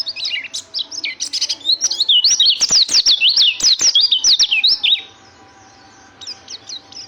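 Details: Loud, fast white-eye song of sharp, high twittering zigzag notes packed tightly together, fading after five seconds to a few softer chirps, over a quiet electrical hum.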